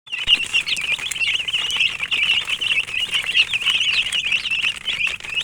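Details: Domestic chicken chicks chirping: a dense, continuous chorus of high, thin peeps overlapping without pause, many birds calling at once, with light scratchy taps beneath.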